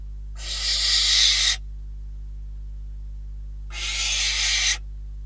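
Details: Barn owls filmed by a nest camera in Catalonia on 12 December 2021, around deliveries of a bird and a rodent as prey: two rasping, breathy screeches, each about a second long and roughly two seconds apart, with a constant low hum beneath.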